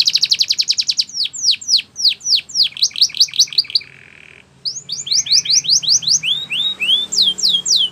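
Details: Spanish Timbrado canary training song: quick rattle into evenly spaced sweeping downslurred whistles, a short low buzzy pause, then more rising and falling chirps repeated about twice a second.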